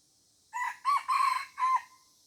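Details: Crowing red junglefowl in Aceh, hemmed in by young birds yet not fighting: four loud, hoarse syllables in about one and a half seconds, a brief lead-in, two strong middle notes and an abruptly ending last note, over quiet hiss.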